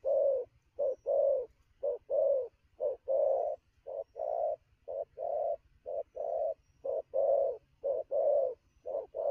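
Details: Energetic newly caught spotted dove in rapid cooing at midday, a long unbroken series of low coos in short-long pairs, delivered about once a second with barely any pause.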